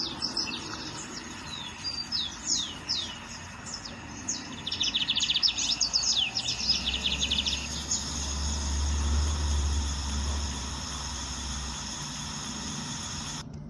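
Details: Lined seedeater singing in nature: spaced high whistled sweeps, then a brief rapid buzzy trill midway. The song stops, leaving a steady low rumble and hiss.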